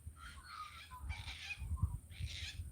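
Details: Unseen black cockatoos, growing louder as they probably fly straight over a farmhouse on 28 February in summer, with rain expected, give three harsh, drawn-out wailing cries, each about a second long, over a steady low rumble.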